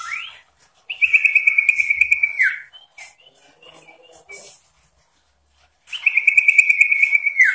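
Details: {'caption': 'Sooty-headed bulbul in persistent song to goad rivals: a long fast buzzy trill ending in a falling slur, then a string of short soft whistles and quiet, then the rattling trill returns.'}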